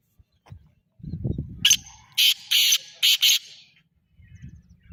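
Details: A black francolin (kala teetar) call: an opening short rasp followed by four strident, grating bursts in about two seconds, preceded and followed by soft low thumping and rustling.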